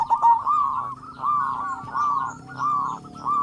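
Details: Local zebra dove with a big voice, a lure for other doves: drawn-out, arching coo notes, each lasting about half a second and repeated steadily, sounding smooth and mellow, with a low hum in the background.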